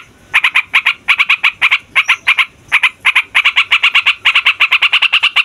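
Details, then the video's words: Yellow-vented bulbul giving a noisy rolling song used to stir young males and females into singing: rapid clusters of sharp chattering notes separated by short pauses, speeding into a longer run at the end. "TRUCUKAN FIGHTER NGEROLL PANJANG BIKIN SEMUA JENIS BURUNG OCEHAN EMOSI"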